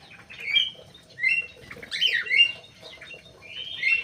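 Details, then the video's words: Aviary-kept crewet bird singing thin, high whistled and twittering notes, some sliding up and down, in irregular phrases, over a quiet background. "BURUNG CREWET"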